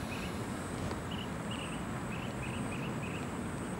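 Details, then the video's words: Blue-tailed bee-eater calling in Singapore: short, rolling chirps in quick irregular bursts, about seven in four seconds, over heavy traffic rumble and a thin high insect whine. "Blue-Tailed Bee-Eater calling"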